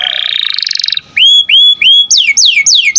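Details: Canary singing energetically as master song for other songbirds: a buzzy rolling trill, then three rising whistled notes spaced about a third of a second apart, followed by loud descending swept notes.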